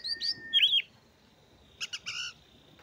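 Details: Oriental magpie-robin singing, played to prompt sluggish birds into song. Clear looping whistles and a level held note come first, then a quiet pause before a short cluster of sharp, stacked chirps.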